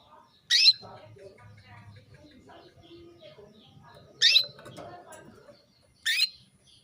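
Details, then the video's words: Female canary calling a male to bring him into breeding condition: three loud sharp chirps a few seconds apart over a faint low murmur. "PANCINGAN KENARI BETINA MEMANGGIL JANTAN"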